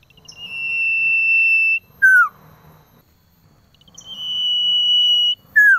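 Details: Cipoh male calling a female during winter: two rounds of a long even high-pitched whistle, each cut off by a short note that drops steeply, with soft low rumbling underneath.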